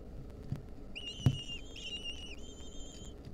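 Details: Lesser kestrel nestlings in the wild, fed a mouse by their mother in 2023, give a continuous high whining beg, a sustained thin note with small steps in pitch lasting over two seconds, a single knock early on.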